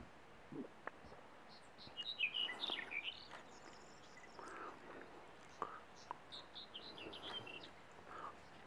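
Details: A Black-headed bunting (Emberiza melanocephala) at Sochos gives one short, high, jangling phrase of quick notes, followed by scattered thin chirps over a faint background hiss.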